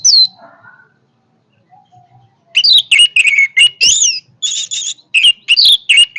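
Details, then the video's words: Orange-headed thrush delivering powerful song: a high downslurred whistle, soft quiet notes, then a rapid, sustained burst of varied loud whistles, trills and buzzy slurs, notes following one another several times per second. "kicauan Anis merah yang bertenaga"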